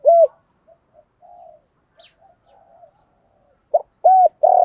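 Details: Spotted dove coos, male and female, for rousing trained doves. One closing hoot, a stretch of faint low murmuring, then a new phrase of short hoots leading into a long coo.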